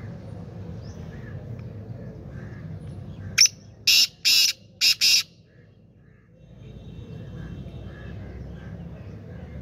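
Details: Black francolin calling: a sudden run of five loud, harsh, rasping notes over about two seconds, the first a short click, then longer grating bursts in an uneven rhythm, over a low steady background hum.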